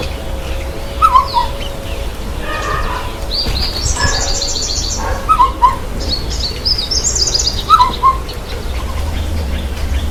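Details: Bathing white-bellied sunbird giving bursts of rapid, high, trilled notes, repeated a few times, while another bird drops in with short clear three-note whistles lower down; low background rumble throughout.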